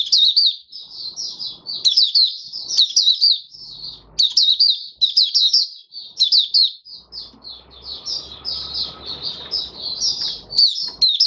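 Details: Open song of a caged oriental white-eye, 20 January 2022, fifth day after its once-monthly deworming: dense, high, rapidly warbled twitters running almost nonstop, with a low hum and hiss in the second half.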